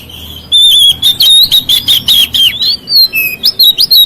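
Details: White-rumped shama (kacer) singing to provoke other shamas; a rapid string of loud whistled notes, slurred and warbling, some rising, some falling, delivered almost without pause.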